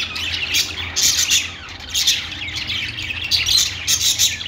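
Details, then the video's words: Budgerigars chattering in a pet store, loud high chirps and short squawks in clustered bursts that rise and fall, many birds calling at once. "budgies calling sounds | parakeet chirping sounds in pet store"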